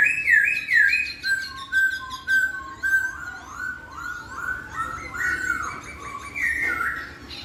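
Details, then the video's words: Laughingthrush singing sweetly so that a reluctant bird of its kind soon replies: a flowing series of clear whistled notes, mostly descending slurs, repeated about twice a second, with background hum. "KICAUAN POKSAY YG MERDU MEMBUAT POKSAY LAIN LANGSUNG NYAUT"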